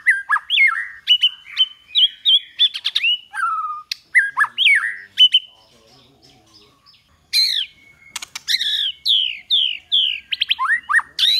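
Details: Song of a white-rumped shama used to train birds to sing: fluid whistles and swooping slurred notes mixed with sharp clicks, a short pause, then a run of descending whistled notes and chatter.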